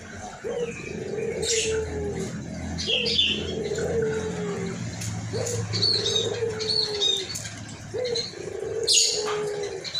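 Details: Albino white collared dove with a hoarse voice calling actively: low, drawn-out coos, each opening with a short rising note and then holding steady, repeated about every two seconds. Small birds chirp high in the background.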